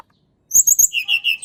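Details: Blood-breasted flowerpecker, natural recording used to lure reluctant birds into singing: three sharp high chirps followed by three lower, slurred whistled notes, rapid and bright, with no other sounds.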